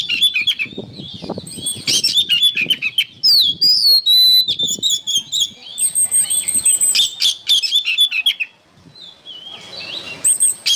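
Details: Oriental magpie-robin in full song used as songbird training material: a dense stream of varied whistles, rapid high chattering trills and sweeping slurred notes, almost continuous with one brief quiet gap near the end.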